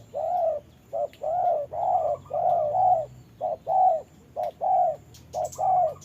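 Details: Spotted dove decoy in a trap, fighting a wild bird while it rains, cooing steadily: about six short-then-long hollow coo pairs in six seconds, loud and close.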